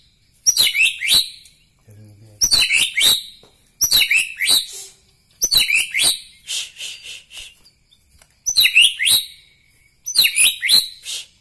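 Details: White-rumped shama from Medan Bahorok giving six bursts of harsh, high, rapid chirping notes spaced about every one to two seconds, with short silences between the phrases.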